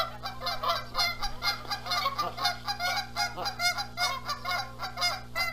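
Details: Continuous rapid honking from Canada geese fighting over sitting on eggs, Rogers Place, Charlo, Montana, April 14, 2022. Rough, nasal calls follow one another several times a second without pause, over a faint low hum.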